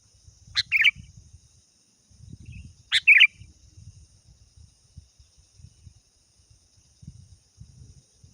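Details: Sooty-headed bulbul calling a rival: two short bubbly whistled phrases about two and a half seconds apart, over a steady high insect hiss and low background rumble.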